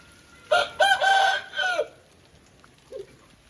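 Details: Aseel chicken crowing after rain: a loud, harmonic, strained crow in several broken segments lasting about 1.3 seconds, followed by a short faint note; quiet background otherwise.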